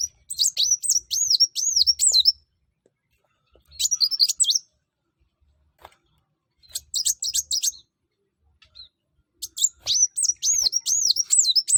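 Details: Sunbird, known as kuwul, kolibri wulung or mucang, singing to encourage other birds to sing: four separate bursts of very high, fast, twisting chirps, each a second or two long, with pauses between.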